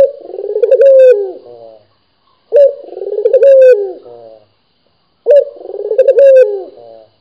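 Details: Vigorously calling local dove from Indonesia: three deep, burbling coo phrases about two and a half seconds apart. Each opens with a sharp note, rolls in a trembling middle and ends in a drawn-out falling tail, with nothing else audible.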